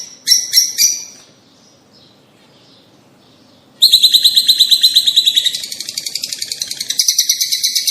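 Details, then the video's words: Rosy starling calls: a few short bursts of rapid chirps, then after a pause a dense run of fast, grating, rattling notes repeated about three times a second, with higher chattering toward the end. "صوت طيور الروز"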